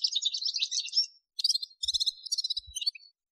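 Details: Male Atlantic canary singing a jumbled high warble, then staccato trilled phrases split by short gaps, with a few faint low thumps in the background.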